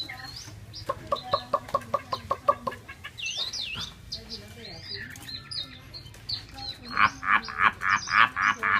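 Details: Caged Chinese hwamei in Hanoi, Vietnam, swaying and nodding. Quick clicking notes open the clip, then rapid, varied whistled warbles that rise and fall, and a loud, strong series of repeated notes at about four per second to close.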